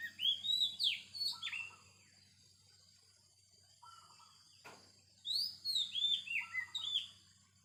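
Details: Wild Oriental magpie-robin in song: two bursts of loud sweeping whistles mixed with lower trilled notes, separated by a quiet gap holding a brief trill and a sharp click, with a steady faint hum beneath.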